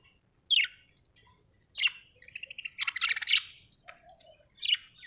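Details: Happy budgie chirping: sharp, bright tweets spaced about a second apart, with a rapid scratchy warbled burst in the middle and a soft lower note in between.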